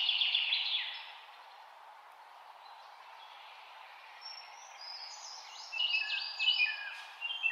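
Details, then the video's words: Taiwan blue magpie calling: a loud harsh burst in the first second, then a quieter stretch and a run of sharp, chattering notes near the end, over steady background hiss. "Taiwan blue magpie call"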